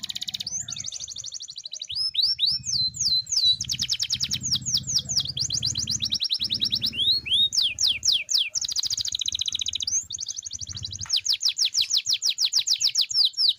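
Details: Canary singing steadily: long rapid trills alternating with quick downward-slurred whistles and rattling repeated notes, broken by short pauses, over a constant low rumbling hum in the background.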